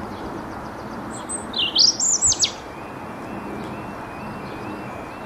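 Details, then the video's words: Songbird singing at Bedhampton Railway Station: a short, quick warbling phrase of high, twisting notes lasting about a second, set against steady background hiss. "A Few Song Birds and Garden Birds"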